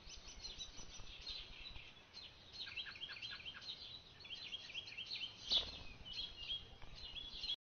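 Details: Orchard oriole singing in a garden: a fast, jumbled run of high whistles and chattering notes, tumbling on without pause, over a soft outdoor hiss.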